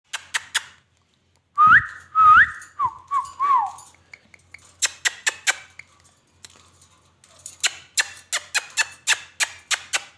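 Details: Ringneck parrot, kept as a pet and described as talking, gives a few short rising and falling whistled notes in mid-range pitch, framed by bursts of sharp, dry clicking sounds repeated in quick rows before and after.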